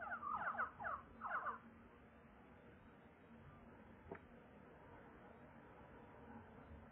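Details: Crested lark (Galerida cristata apuliae): three quick bursts of fluty, slurred whistles in the first second and a half, then quiet low background hiss with one brief click.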